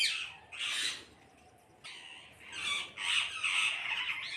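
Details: Parrots calling as a flock, giving loud grating screeches in three main bursts, with a short lull in the middle and overlapping harsh notes toward the end.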